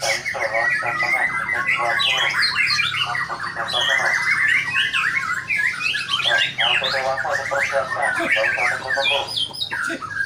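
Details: White-rumped shama (murai batu) singing hard: a dense, varied run of rapid whistled phrases mixed with harsh, chattering notes that sweep up and down, barely pausing for over ten seconds, in a small indoor room.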